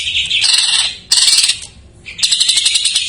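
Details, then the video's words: Greater green leafbird's filled song, a lure for untrained or silent birds, in three dense bursts of rapid, buzzy, high chatter separated by short pauses. "cucak ijo isian , pancingan paling ampuh untuk burung bahan / macet"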